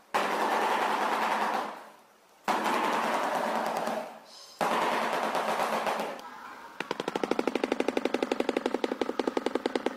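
Shoebill clattering its bill: rapid dry knocking like a machine gun, following several seconds of broad rushing noise, possibly with faint music.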